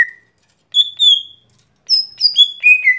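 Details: Everyday song of a lesser green leafbird, locally gotri: a single low whistle, two sustained mid-pitched whistles, then a quick falling series of four whistled notes.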